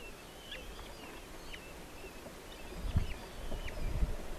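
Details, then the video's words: Two hungry Red-footed falcon chicks begging as their father brings a small vole to the nest, live nest camera, 3 July 2023. Thin, high squealing notes bend and slur, scattered over low rumbling background noise with a few dull thumps. "Dad red-footed Falcon feeds the kids."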